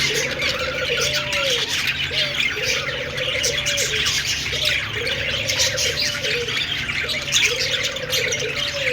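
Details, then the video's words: Budgerigars chirping together in a dense, continuous chatter of high, scratchy warbles and squawks, with a lower, even, tone-like sound repeating about every two and a half seconds underneath. "Budgies sounds /love birds sounds/budgies singing/parakeets chirping sounds"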